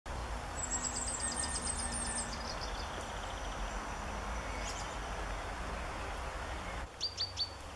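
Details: A Firecrest in northern Germany on 16 March 2017 gives a very high, thin, accelerating run of notes lasting about two seconds, then a few brief high calls, over steady background rumble.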